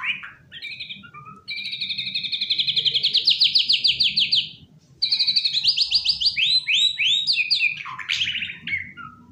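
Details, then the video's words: Caged white-rumped shama singing indoors on a sofa: long rapid pulsing trills held at one pitch for several seconds, a brief pause, then another fast trill breaking into varied whistled and scratchy notes, over faint low background hum. "Murai Nge-play diSofa, Ogah gantang"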